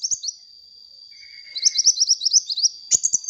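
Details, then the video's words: Energetic sunbird song for luring: a short high chirp, a pause filled by a thin steady tone and a faint lower buzz, then a rapid string of bright, slurred twitters and a final sharp click. "suara burung kolibri gacor untuk pancingan bunyi kolibri bahan"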